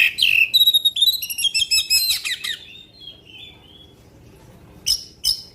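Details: Black-winged magpie-robin in long song bursts meant to rouse other magpie-robins: rapid, high whistled notes and trills tumbling together, fading into a quiet thin whistle, then two sharp loud notes.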